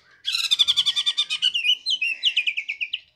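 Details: White-rumped shama, a caged bird singing loudly; a fast series of about a dozen bright repeated chipping notes, then a run of rising whistled notes, clear and close with a quiet background.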